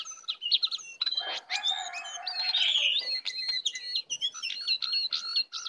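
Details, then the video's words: Wild jongkangan, or brown cingcoang, arriving aggressively: a dense, continuous medley of sharp whistles, slurred notes and fast trills, layered and scarcely pausing. "Jongkangan/cingcoang coklat Liar Datang Menyerang"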